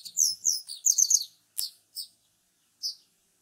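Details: Japanese wagtail, often found near water and singing from antennas in residential areas when the weather warms; a quick run of high sweet chirps, then three spaced single notes over about a second and a half.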